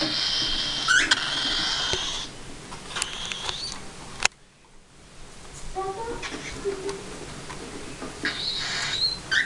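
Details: Cockatiels preening in a small hobby breeding setup, with three pied chicks aged 5–6 weeks and not yet weaned in the background. A harsh, raspy hissing buzz lasts about two seconds, then scattered clicks and scratches, and a short rasp returns near the end.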